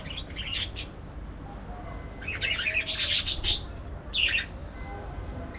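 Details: Aviary parakeets chirping in shrill, clustered bursts: a few quick notes at the start, a dense squawky cluster midway, then a shorter burst near the end, with a constant low hum behind.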